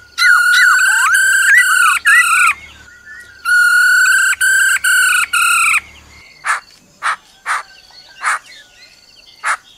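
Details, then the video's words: Black-throated laughingthrush singing its forest song, with the female's trilling: loud sustained whistled phrases with rich harmonics and brief breaks, followed by short scattered sharp notes, over a low steady hum. "Khứu bạc má hót giọng rừng kèm theo tiếng mái ro ro"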